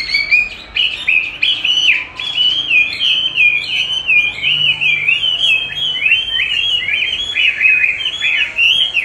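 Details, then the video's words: Chinese hwamei singing while its own song is played back for training, eager to duel with its own voice; a long unbroken stream of loud, varied whistled warbles with rapid up-and-down slurs. "Dùng đúng giọng hót của nó để luyện hót cho nó(công nhận nó rất thích đấu với chính giọng của mình)"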